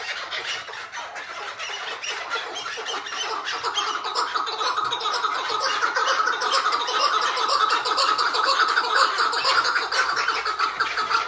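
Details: Hıngırma of a tied captive Chukar partridge: grating, rapid chuckling pulses that start a little quieter and build to a steady loud stream.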